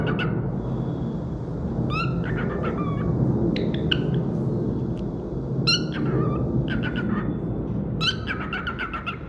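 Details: Pet cockatiel singing: groups of rising, harmonic chirps and brief squeaks repeat every one to two seconds over a strong, steady low-frequency rumble.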